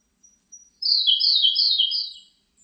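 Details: A Siberian blue robin gives two soft, thin introductory notes, then bursts into a rapid, slightly descending trill of sharp high notes repeated for about one and a half seconds in otherwise quiet surroundings.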